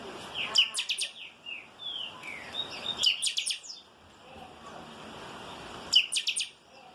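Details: Chanchão, the chopi blackbird, delivering its 'calçada baixa' song: three bursts of clipped, bright chirps roughly every three seconds, with soft gliding whistles in between.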